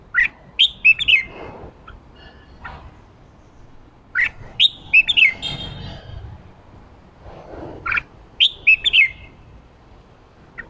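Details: Red-whiskered bulbul during song training for the ché style repeats the same bright whistled phrase about every four seconds, each a tight run of four or five rising and falling notes.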